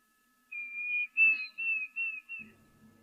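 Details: Diederik cuckoo calling in the background at a waterhole, a series of clear, high whistled notes, a long steady one then several shorter ones in quick succession, with a low rumble at the end.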